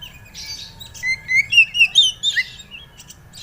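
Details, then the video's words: Oriental magpie-robin (kacer) song, played as a lure to make an untrained bird start singing: a series of clear whistled notes sliding up and down, mixed with buzzy scratchy bits, over a faint low hum. "pancingan burung Kacer ampuh Kacer bahan mau bunyi"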